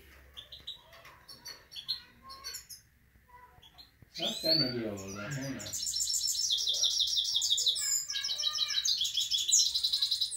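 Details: Himalayan goldfinch song of rapid, high, tinkling twitters and trills, mixed with a canary, after a few scattered chirps and a brief harsh, nasal, descending sound.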